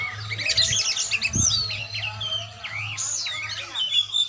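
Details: Song of an oriental magpie-robin (kacer) being trained: a fast burst of scratchy chirps, then clear rising and falling whistles and slurred notes, with one low thump near the middle and a faint hum.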